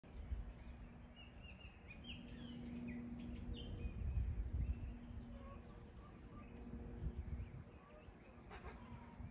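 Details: Wild bird singing outdoors on the Lummi Reservation, Washington State, USA: scattered short high chirps and brief whistled notes, fairly faint, over a constant low rumble and a steady low hum.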